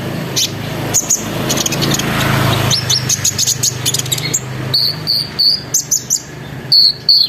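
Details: Olive-backed sunbird (konin) singing a lure used to make other sunbirds join in, described as twittering, rolling and shooting; a noisy, rumbling start gives way to clear high whistled notes and sharp chips in the last seconds.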